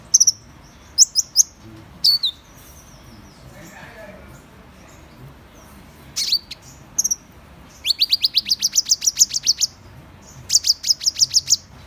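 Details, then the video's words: Van Hasselt's sunbird giving thin, very high sharp notes, then fast runs of about a dozen rapid ticking chips, each run lasting around two seconds. "Tiếng chim HÚT MẬT 7 MÀU chuẩn ✅Van Hasselt's Sunbird"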